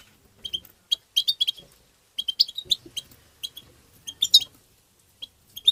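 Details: European goldfinch tebteba call notes used for stimulating goldfinches: crisp, high twittering chirps fired in rapid groups of three to six, with short gaps and a dense burst near the end.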